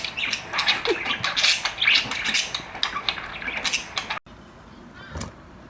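Rainbow Lorikeets give harsh, high, grating screeches in a dense, rapid chatter for about four seconds, then stop abruptly. A quieter room follows with one brief noisy burst.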